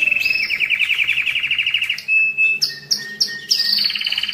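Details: Canary song meant to excite males and prepare females for breeding, used to tutor young birds: a fast rattling trill near one pitch, then a pure held whistle, clipped chirps and a second rapid trill.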